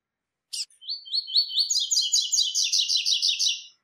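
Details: Double-collared seedeater, a brownish 'pardo' male, singing the three-note 'tui tui' style: one sharp opening note, then a loud, fast, buzzy chattering run of high repeated notes lasting about three seconds.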